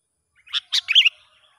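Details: Sooty-headed bulbul heard in the wild during a test of a young lure bird: one phrase of two harsh notes and then a rising, rolling whistled flourish.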